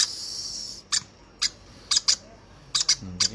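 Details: Young hand-fed conure uttering scattered high, piercing chirps, some paired, over a steady background hiss that fades after the first second.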